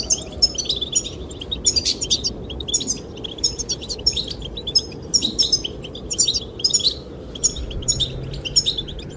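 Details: Goldfinches chirping as they sing to win the female, steady series of sharp, high twittered phrases repeated through the stretch, accompanied by a low, even wind sound.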